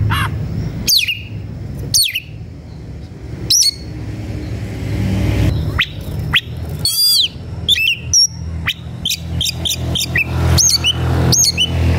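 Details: Oriental magpie-robin, worked up and seeking a fight, sings sparse sharp descending whistles every second or two, then a quicker burst of looping notes and high chips over persistent low rumbling noise.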